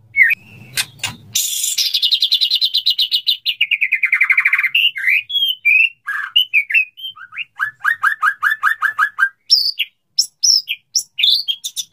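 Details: Male white-rumped shama wooing a female, wanting to mate: a long buzzy descending rattle, then varied whistles and a fast run of repeated sharp notes, ending in bright scattered whistled phrases.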